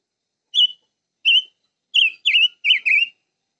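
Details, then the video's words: Silver-eared mesia singing a phrase that starts with two spaced single whistles, then speeds into four louder, wavering whistled notes in quick pairs. "Chim ngũ sắc hót"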